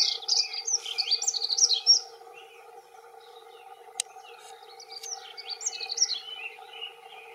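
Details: Male dunnocks, two of them, giving territorial song: a rapid high twittering warble for about two seconds, a gap broken by a sharp click, then a second quieter scratchy warbling phrase, over a faint steady hum.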